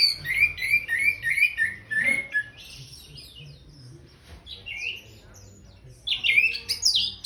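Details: Orange-headed thrush singing after bathing, opening with a quick series of repeated short whistled notes, then looser varied phrases and a final loud burst of high rising and falling whistles.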